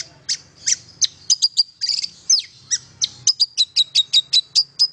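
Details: Long-tailed shrike song used to stir silent shrikes into singing: a quick series of sharp, high chips and short buzzy notes, about two or three per second, over a faint low hum.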